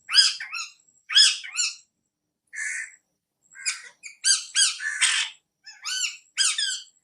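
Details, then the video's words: Parrot recorded on an iPhone, squawking in harsh, broad bursts separated by short pauses, with one lower hoarse note mid-way and a busier run of screechy notes near the end. "Parrot videos Tota ka video"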